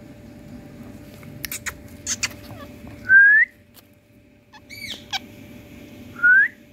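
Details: Indian parrot in India giving two clear upward-sweeping whistles about three seconds apart, with short sharp clicks and a faint arched squawk between them over a low steady hum.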